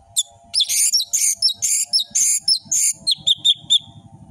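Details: Orange-headed thrush in full, varied 'ngeplong' song, used as tutor recording for young birds: rapid bursts of sharp, high whistles and chattering notes, about a dozen short phrases in quick succession, with a faint low hum beneath.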